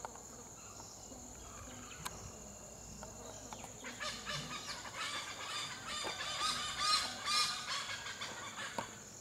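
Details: Black hornbill shuttling low from side to side, giving a long run of harsh, nasal cackling notes about two per second, growing louder toward the end, with a constant high insect hum throughout.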